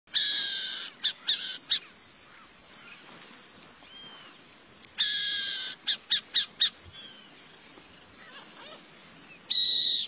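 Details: Burrowing owl giving harsh, hissing screeches: a long rasping burst, then short clipped rasps, a second long burst with four quick rasps, and a final burst near the end, separated by quiet pauses.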